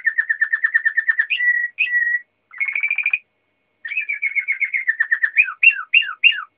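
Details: Singing Waterslager canary delivering fast, evenly pulsed trills and a brief sustained warble, followed after a pause by a rolling trill that ends in several descending, bubbling notes.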